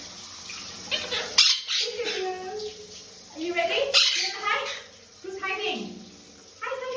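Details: A pet Quaker (monk) parakeet at shower time gives raspy, chattering calls and speech-like notes over the hiss of running water.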